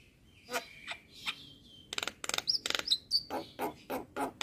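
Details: Jalak kebo, the Javan myna, in masteran song for training other birds; scattered harsh notes, then a quick stuttering rasp series with short whistled slurs, ending in evenly spaced chattering notes.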